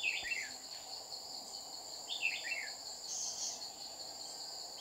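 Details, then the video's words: Red-whiskered bulbul at a trapping site in Đồng Nai on 30 July 2019, with a wild bird descending to threaten the decoy; two quick chirpy, falling warbled phrases about two seconds apart, backed by continuous shrill insect buzzing. "Bẫy chào mào Má lỡ xuống dọa mồi liên tục"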